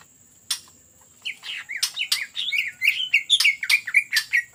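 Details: Greater green leafbird singing hard in the ngetrok style for luring: after a lone click and a pause, a fast rolling chain of rising and falling whistles, punctuated by sharp snapping notes, builds to a steady beat.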